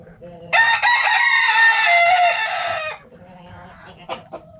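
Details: Backyard coop rooster delivering a long, loud, hoarse crow of about two and a half seconds that fades into soft hen clucking, over a faint low hum.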